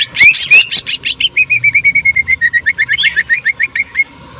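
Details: Greater green leafbird giving a tembakan burst of its jamtrok sewing-machine sound: two rising whistles, then a fast, even stutter of short notes, about six per second, gently falling in pitch.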